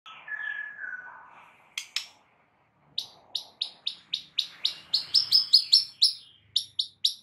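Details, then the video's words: White-rumped shama song used to prompt a silent bird into singing: a slurred whistle, then a brisk run of sharp, high, clipped chip notes repeated about twice a second, in a quiet indoor setting. "jadikan Murai BISU seketika NYAUT dalam HITUNGAN DETIK"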